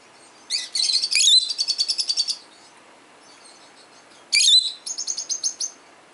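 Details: A kept peach-faced lovebird, a 12-year-old male hearing other lovebirds played to him, gives two bursts of shrill calling. Each burst opens with a piercing chirp, then a quick rattling series of high pulsed notes, with quiet between.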